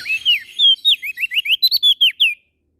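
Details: Prinia (prenjak daun) from Lombok, NTB, singing energetically, said to sing morning, noon and night: a rapid run of about fourteen sharp, downslurred whistled notes, steady and unbroken, with no other sound behind it.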